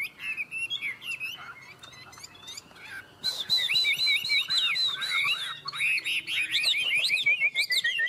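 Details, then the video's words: Chinese hwamei duel song, two birds, Vietnam: short clipped notes at first, then a louder burst of quick, swooping whistled phrases and rolling trills that runs to the end. "Họa mi hót đấu"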